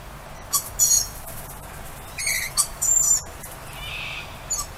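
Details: Several lorikeets calling outside as they greet their owner, giving harsh, high screeches in clusters, two grouped bursts in the middle and a softer hissing note near the end.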